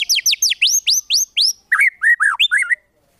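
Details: White-rumped shama master song with rich 'tembakan' filler for contest birds: a run of quick, bright, swooping upslurred notes, followed by lower, rolling slurred whistles before a short fade to silence.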